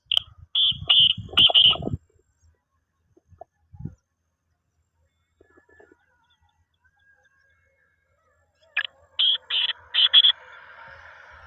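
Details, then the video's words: Black francolin calling in a mix used to rouse francolins and lure them closer: a quick burst of short, harsh, high notes, a long silence, then another rapid series of clipped notes fading into faint hiss. "کالا تیتر کو مستی میں لگانے اور جلد بلانے والی مکس آ وازیں"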